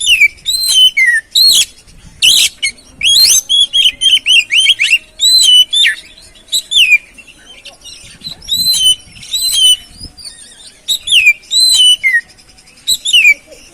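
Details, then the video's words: Lure song of an oriental magpie-robin, meant to push a sluggish bird back into full song: rapid, varied whistles and chattering bursts, many sweeping downslurs, delivered in dense phrases with brief pauses, over quiet background. "Pancingan Burung Kacer Atasi Macet Dan Stres Kurang Gacor"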